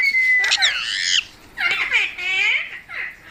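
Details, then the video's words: Indoor pet parrot with its owner, giving a held whistle followed by loud, rasping, harmonic squawks in two bursts separated by a brief pause. "Funny Parrot Sounds"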